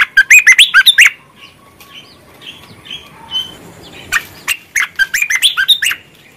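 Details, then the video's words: Bulbul in full, lively song, played as a lure to stimulate quiet birds into singing: a loud, rapid burst of bubbly chirped notes, then a near-silent pause with soft faint notes, then another fast chattering burst. "SUARA BURUNG MERBAH GACOR // COCOK TUK PANCINGAN YANG MALES DAN MACET BUNYI"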